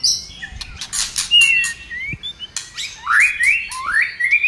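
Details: White-rumped shama, tail flicking and fired up, singing to rouse other birds: a few clicks and short whistles, then a string of loud rising slurred whistles climbing in succession.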